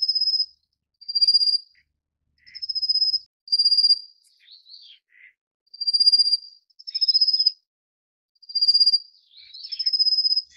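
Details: A Rufous-faced warbler (Abroscopus albogularis) feeding its chicks gives very high, thin buzzy trills, each about half a second, repeated roughly every second, with a few softer, lower chirps between.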